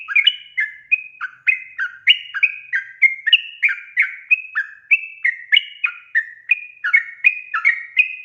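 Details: Sooty-headed bulbul in vigorous gacor song, a lure to coax untrained birds into singing: a dense, continuous torrent of short liquid whistles, about three per second, high and low notes interleaved and overlapping.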